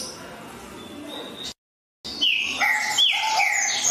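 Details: After a quiet start and a brief silent break, a green-winged saltator bursts into loud whistled notes that drop in pitch, with a low steady tone beneath.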